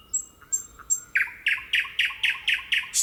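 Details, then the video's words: Thrush nightingale singing in nature: a few high thin notes, then a bold series of about eight loud, harsh repeated notes, evenly spaced about four per second. "Kuulame nüüd selle linnu tutvustamiseks ka ühe helisalvestuse, nõnda laulab ööbik looduses."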